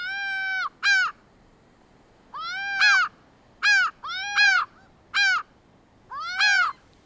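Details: Laughing gull uttering long, arched nasal calls and short doubled notes, spaced irregularly with pauses of about a second, harmonics rich and clear.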